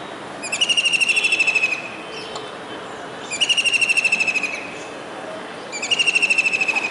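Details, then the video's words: Kingfisher calling from a disc antenna atop a residential building in Surat, Gujarat, on a rainy July 2019 day: three shrill, rapid rattling trills, each a little over a second long, evenly spaced against a soft, constant background rumble. "Kingfisher Bird's Voice"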